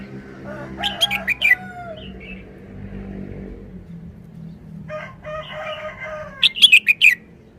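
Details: A caged red-whiskered bulbul sings brief, easy wild-style phrases of bubbling notes at the start and end, while a rooster crows twice in the middle.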